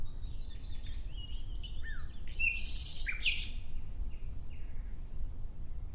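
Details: Nightingale singing: soft descending whistled notes lead into a loud burst of harsh, rapid notes, followed by quieter sparse chirps. Thin high calls from other birds and a low background rumble are present.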